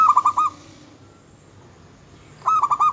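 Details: Energetic local zebra dove song, said to rouse rival birds' aggression and mating drive: a brief burst of four rapid coos, about two seconds of quiet, then a matching burst.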